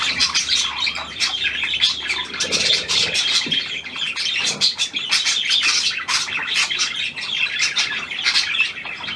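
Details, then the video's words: Newly arrived hand-tame pied budgerigar of the Australian type, 17 February 2023, chattering continuously in a bright, scratchy warble of quick chirps and ticks, with a few soft lower sounds in the middle. "Ein neuer Handzahmer austr Schecke"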